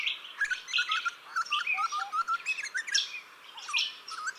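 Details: In a garden that a juvenile grey butcherbird has made part of its territory, it calls back at a fountain: clear fluting whistles, rising and falling, delivered about once a second amid high chirps and twitters.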